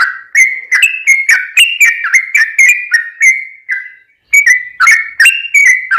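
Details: Yellow-vented bulbul in energetic song, meant to provoke other bulbuls to answer: a steady series of liquid whistled phrases stepping up and down, a brief pause, then more of the same.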